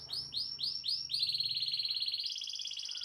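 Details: Canary singing continuously to prompt other canaries to sing: a run of repeated downward-sweeping whistled notes, about four per second, flowing into a fast buzzy trill that stays high and shifts slightly upward near the end.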